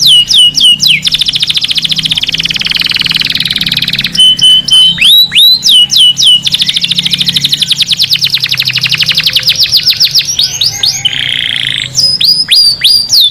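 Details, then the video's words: Canary song played to stimulate males to sing and mate and to teach chicks: loud, bright trills of rapid repeated notes, alternating with sharp descending whistled sweeps and a steady buzzy roll, no other sounds. "أفضل صوت تغريد كناري خرافي لتهيج ذكور الكناري على التغريد والتزاوج وتعليم الفراخ"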